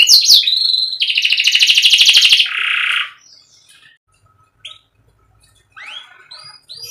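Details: Canary singing on a tutor recording for young or stalled birds: a few quick sweeps, then a fast buzzy rattling trill lasting about two seconds that drops into a lower rolling trill, followed by near-silence and a few soft notes.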